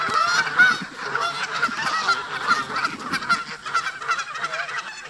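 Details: Local geese in a park, tense with migrating visitors, honk loudly and continuously; dense overlapping nasal honks with bright harmonics fill the whole stretch in a noisy flock chorus.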